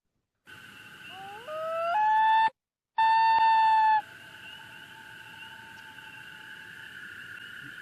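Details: A Common Loon's wail, its long-distance call given to reconnect with its mate, in Minnesota: a haunting call that climbs in steps, then holds a long, clear, mournful note, over a steady background hum.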